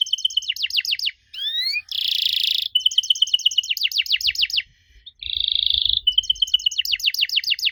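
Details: Lure song of a canary meant to make young birds respond: rapid repeated notes, steep falling sweeps, an upward-gliding whistle, buzzy rolls and a smooth trill, with faint low rumbles in the background.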